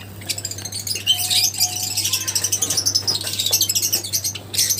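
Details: Lovebirds chattering in a dense, shrill flurry of high chirps and squeaks with a steady low electrical hum underneath and a few short, level whistled tones.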